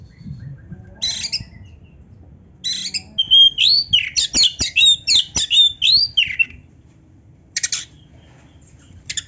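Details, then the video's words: Oriental magpie-robin singing: scratchy bursts, then a fast run of about a dozen loud, sharply sweeping whistles and clicks packed into three seconds, followed by a few isolated harsh rasps. "kacer gacor full isian MEWAH NARUNG‼️Auto NGOBRA BUKA EKOR"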